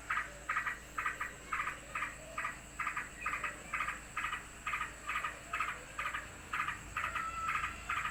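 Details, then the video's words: A sooty-headed bulbul, worked up because another bird has come, scolds in rapid, evenly spaced scratchy bursts, a little over two per second, continuing without pause throughout over low background hiss. "Burung Trucukan Geger karena ada burung lain datang"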